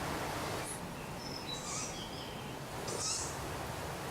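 A young tawny owl gives short, high, squeaky wheezes, like a squeeze toy, two bursts over a second apart, against a steady hiss of outdoor background noise.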